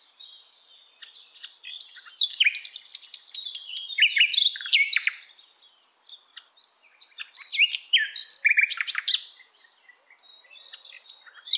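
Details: Wild hill blue flycatcher with long energetic song phrases of dense high twitters, whistles and trills, separated by quieter gaps of scattered notes.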